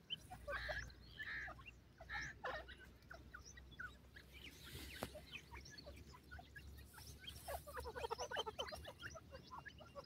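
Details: Several white pheasants give short clucking and chattering notes in quick, overlapping bursts, with a low steady hum underneath.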